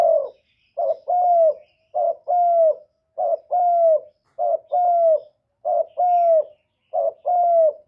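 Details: Spotted dove luring call for other doves. Six regular phrases come about every 1.2 seconds, each a short clipped note followed by a longer, slightly falling mellow hoot. The background is clean.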